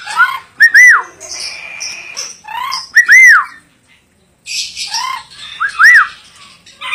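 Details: Ornate lorikeet, a clever parrot from Sulawesi, mixing clear rising-and-falling whistled notes with harsh chattering squawks, repeated in uneven bouts broken by a short silence.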